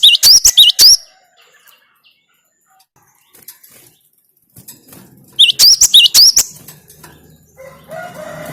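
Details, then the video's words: Cinereous tit (gelatik batu) song aimed at exciting a kept bird: two brief bursts of shrill whistled couplets separated by several seconds of near silence, with low humming afterwards. "Makin Edan gelatik batumu setelah dengan suara ini"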